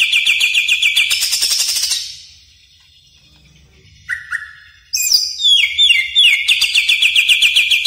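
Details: Greater green leafbird song used to train caged birds: rapid rattling trills switching pitch, a pause, two short whistled slurs, then a cascading descending phrase into another fast steady trill.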